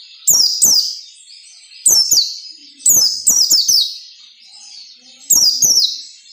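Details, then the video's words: White-eye singing ngalas nembak, recorded to train caged white-eyes: four groups of high, shrill, downward-sliding whistles, paired or tripled, spaced by short quiet breaks. "SUARA PELECI NGALAS NEMBAK SERTANDAR"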